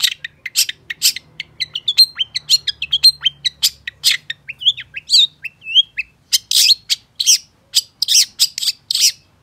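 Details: Long-tailed shrike delivering a varied, continuous song meant to get other shrikes singing: rapid chips and short whistled slurs give way to louder, harsh, rasping bursts in quick succession.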